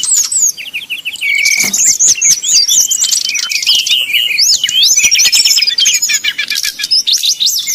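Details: 'Nyuling' song from a brown-chested jungle flycatcher, meant to goad rival birds into singing: fast, dense high whistles, trilled strokes and looping slurs, sustained with few gaps.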